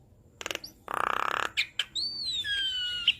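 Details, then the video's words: Javan myna song meant to prompt captive birds to sing: a grating rattling burst followed by clicks and a long, slowly falling pure whistle ending in a sharp squeak. "Jalak kebo Gacor Full Isian - MAsteran dan Pancingan Burung Jalak"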